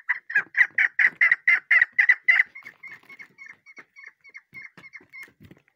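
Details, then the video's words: A chukar partridge chick gives a fast run of about four notes a second: loud, harsh chips at first, then thinner, clear peeps that fade toward the end. "chakor k apna bacha ki new video voice awaz sounds bird"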